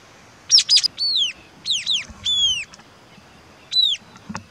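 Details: White-capped tanager calling: loud, high, squealing notes arching and falling in pitch, given in quick pairs and short bursts, then a pause and one more squeal, over quiet background hiss.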